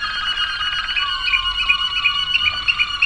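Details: Waterslager canary song from 2009, a dense continuous stretch of bubbling, water-like notes over steady tonal lines, with bright pips repeating roughly three times a second.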